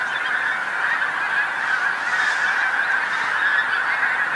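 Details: Large flock of Pink-footed Geese landing in a field beside the A149 on the North Norfolk coast, England, at sunset; a dense, unbroken chorus of high-pitched overlapping honks and yelps from many birds at once, with no gaps.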